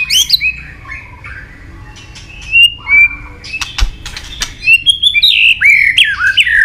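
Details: White-rumped shama in vigorous, filler-rich song used to prompt other shamas to sing: varied whistled phrases sliding between high and middle pitch, broken by sharp clicks and ticks, ending in loud rising-falling whistles.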